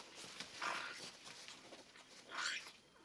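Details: Hand-fed African grey parrot chick, eight weeks old, during feeding: two harsh, breathy, rasping begging calls about two seconds apart, with quiet rustling between.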